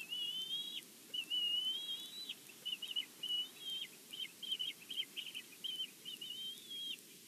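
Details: Bald eagle at its nest at Big Bear, filmed by a live nest camera, one bird described as angry: thin, high whistled notes with upturned ends, then a rapid stuttering chatter of short piping chirps over steady low background hiss.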